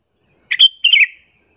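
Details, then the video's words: A single short phrase from a sooty-headed bulbul used to lure and agitate other bulbuls: two quick bubbly notes, a bright chirp followed by a slightly lower warbled note, under a second long, in clean silence. "suara panggilan burung kutilang alasan untuk pikat"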